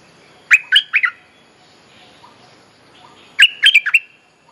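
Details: Lure song of the bulbul called nok dok taeng (merbah lekir), used as a mating call for teaching young birds: a burst of four fast slurred whistles, a pause of over two seconds, then a matching four-note burst.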